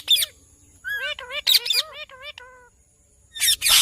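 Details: Ringneck parrot calling: harsh, loud broadband screeches open and close the clip, with a run of short, rising-and-falling harmonic notes between them.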